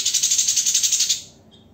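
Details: White-rumped shama, tembakan from a master recording for teaching songbirds. A harsh, rattling buzz pulses about eight times a second for just over a second, then fades to silence.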